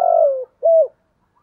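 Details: Spotted dove calling to lure in wild doves: a long, low, slightly falling coo followed after a short pause by a shorter rounded coo, with no other sounds.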